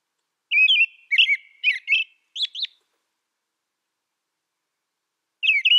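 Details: American robin song: four quick groups of warbled whistles rising and falling, capped by two higher, sharper notes, then silence until a new phrase begins at the end.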